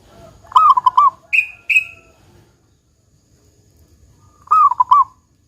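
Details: A local zebra dove delivers two 'kung besar' phrases, played to coax other doves into song. Each is a low rolling coo broken into rapid pulses, with two brief higher whistles between them.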